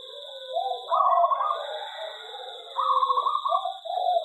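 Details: Aviary-kept zebra dove delivering a fast, rolling coo song: quick pulsed notes rising into a brighter trill, then dropping to softer lower coos, repeated twice, with a steady high tone behind.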